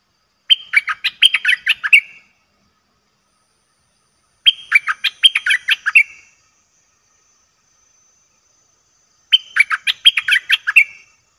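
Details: Bulbul used as a lure for wild birds: three similar bubbling, chattering phrases, each under two seconds, spaced about four seconds apart with quiet between them.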